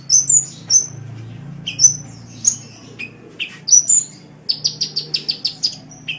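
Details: Vigorous sunbird song used as a masteran tutor for cagebirds: scattered thin high chirps and slurred notes, then a quick run of about eight evenly spaced sharp tsip notes, with a low droning hum beneath.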